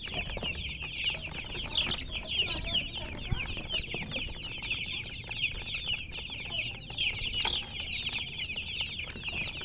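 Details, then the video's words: Colored chickens in a steady, shrill chirping chorus, many rapid high peeps overlapping, with a faint low background rumble. "silly chicken chirping sounds"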